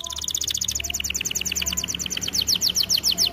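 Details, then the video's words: Training recording of a singing canary: an unbroken fast rolling trill of bright, sharp notes repeated several times a second, shifting slightly in pitch partway through. "Melodies Canary bird song | Training video"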